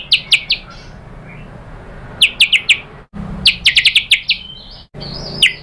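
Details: White-rumped shama song used as a lure for other birds: sparse, sharp chip-like notes in short clusters with gaps between, over a faint background hiss.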